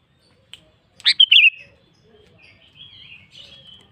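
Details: Sooty-headed bulbul in full song, calling a rival: a single bubbly burst of three quick slurred notes that slide down to a wavering whistle, then softer trailing warbles, in a quiet setting.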